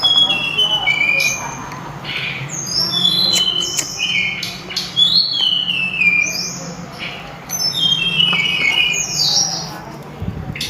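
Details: Sulingan, known as tledekan gunung, in loud melodious song: long series of high whistled, slurred notes, often descending in steps, with short pauses between bursts and a low background hum.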